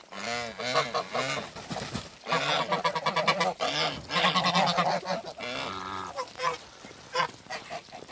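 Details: Mature couple of Toulouse geese meeting after being moved, trading loud nasal honks in rapid overlapping bursts, some drawn out and harsh, others short and clipped, almost continuous.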